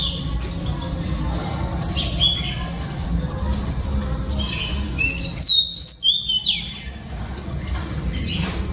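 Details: Song of a female oriental magpie-robin, sung to stimulate males: quick downslurred whistles and sweet rising notes, louder in the middle section, set against a persistent low droning background.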